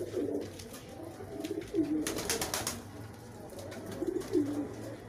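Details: Low, throaty coos from pigeons competing for food, short rolling phrases repeated a few times over background shuffling.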